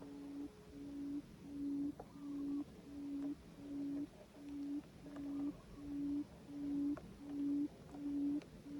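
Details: Quail in Cambodia, used with a quail trap, giving a long series of low, even hooting notes, each swelling in volume, repeated steadily about every two-thirds of a second, with soft clicks between.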